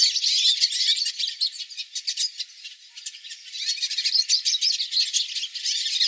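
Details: Flock of hooded siskins singing together, recorded live: dense, continuous high twittering with buzzy trills and sharp chirps overlapping, pulsing in bursts with a brief quieter dip midway.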